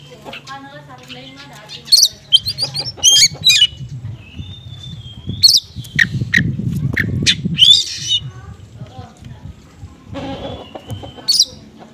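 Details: Oriental magpie-robin lure song, konslet style with small-bird material, for magpie-robins slow to respond: bursts of sharp whistles, harsh squawky notes and rattling phrases separated by gaps, over a low rumbling background hum.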